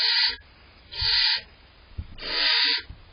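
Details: Two young barn owls in their nest box give wheezy, hissing begging calls while awaiting food from the adults, three drawn-out rasps in just over three seconds, with small taps between.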